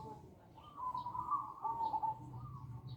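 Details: Zebra dove, Bangkok-type perkutut, giving a lure call to attract other doves; a soft bubbling coo rises into a bright trilled phrase, then repeats, over a low background hum.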